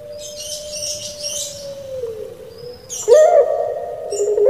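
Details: Caged puter pelung, a Barbary dove from Java, Indonesia, sings a long droning coo that slowly sags in pitch. It then breaks into a louder, wavering 'gerukkk' phrase, while small birds chirp high in the background.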